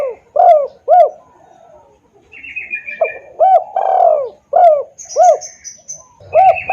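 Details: Spotted dove lure call for attracting wild doves: short, arched coo notes repeated roughly twice a second in irregular bursts, broken by a longer falling coo mid-sequence, while faint high chirps from other small birds sound in the background.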